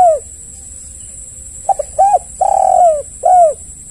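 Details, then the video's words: Spotted dove, played to provoke other doves into answering: a falling coo, a pause, then a phrase of short notes, a rounded coo, a long wavering coo and a closing descending coo, over a steady high hum. "Pancingan tekukur yg lain pasti ikut bunyi"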